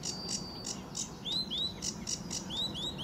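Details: Early morning song of a sedge warbler at Fowlmere, England, July 2013, under blue sky: a high thin held whistle, then quick repeated rising swept notes and dry ticks over a low rumble.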